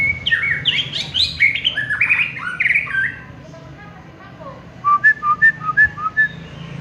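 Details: Champion white-rumped shama singing: a dense burst of loud, varied whistled and chattering phrases sweeping up and down, a short quiet pause, then a run of about eight clear, evenly spaced whistled notes.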